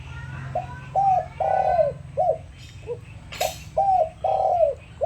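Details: Decoy spotted dove cooing to call in and lure other doves: mellow repeated coos in short groups, each phrase ending in a longer falling note, over a low steady hum with a brief rustle midway.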